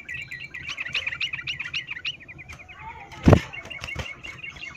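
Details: Female yellow-vented bulbul in breeding condition calling a male, a fast run of high clipped chattering notes fading after two seconds, then a loud thump and faint further notes over low background rumble.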